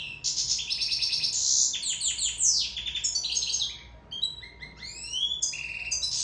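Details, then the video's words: Sicilian goldfinch in love, singing a lively run of buzzy, rattling trills and tinkling chirps, then quick twittering upslurred notes after a short pause; a faint steady hum runs throughout. "Favoloso canto cardellino siciliano in amore"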